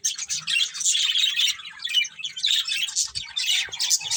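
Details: Budgerigars, a colourful breeding pair, pouring out an unbroken, dense warble of high squeaky and grating chirps that keeps a steady loudness.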